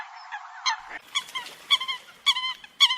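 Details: Eurasian coot, a migratory bird, uttering loud nasal honks, some doubled, about every half second after a quieter, muffled opening, with a faint rustling underneath.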